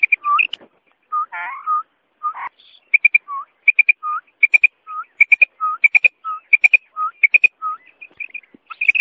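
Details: Female common quail calling, described as a genuine female calling sound: short high paired notes repeated rapidly in quick rhythmic bursts, alternating with lower clipped notes, with near-silent gaps between.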